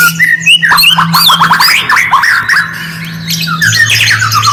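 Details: White-rumped shama song used as a lure to make silent shamas respond: rapid varied whistled phrases, sliding and warbling notes in quick bursts, with a steady low electrical hum beneath.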